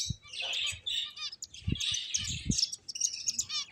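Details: Several finches at play chirping in quick, bright bursts of high twittering notes, with short low thumps scattered between the calls.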